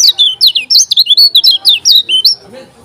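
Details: Kecial kuning, the lemon-bellied white-eye of Lombok, in full fierce song. A rapid string of about a dozen loud, high, down-slurred whistles follows without pause, then stops abruptly.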